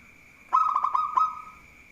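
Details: A local zebra dove, singing keenly and said to draw rivals into answering, gives one short phrase of rapid stuttering notes that merges into a rolling, trilled coo and fades out, with a constant high-pitched hum behind.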